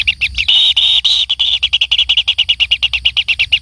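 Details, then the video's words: Kingfisher chick being fed by its parent, giving shrill, high begging notes: a few short pips, then a sustained harsh buzz, then a fast series of pulsed notes about eight per second. "anak burung tengkehk diberi makan induknya"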